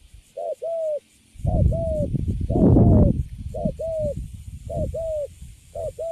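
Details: Caged spotted dove, recently caught, cooing in the cấn sấm style. Paired coos, short then drawn-out, sound through heavy low rustling and rumbling noise that swells in the middle.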